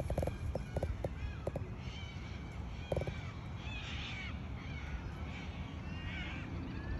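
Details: Australian white ibis (Threskiornis molucca) giving short, hoarse grunting croaks in a quick burst, then one more a second later, over low rumbling wind and faint chirps of small birds.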